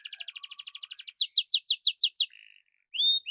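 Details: Atlantic canary in full song: a fast, even trill of repeated notes, then a louder run of sharp chirps about five a second, a short buzzy note, a pause, and a bright high whistle.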